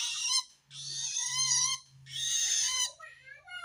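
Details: Long-tailed shrike calling to wild shrikes, the call said to show it is threatened by rival shrikes; three long, rough, raspy screeches over a steady low hum.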